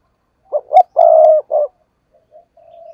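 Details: Decoy spotted dove used as a lure to draw in wild doves for trapping, giving a driving coo: a short hoarse coo, two quick notes, a long level coo, then a softer coo, followed by faint trailing murmurs.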